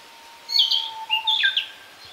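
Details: Narcissus flycatcher in fresh green woodland, Kita-Harima, Hyogo, Japan, gives two fluty whistled phrases with sliding and dropping notes; a faint steady low tone runs beneath.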